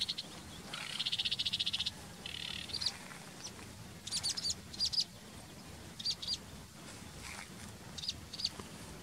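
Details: Sedge warbler, a reed bird, singing a high scratchy chatter that opens with a fast buzzy rattle of about a second, then breaks into short twittering bursts and clicks at irregular intervals, over faint low background rumble.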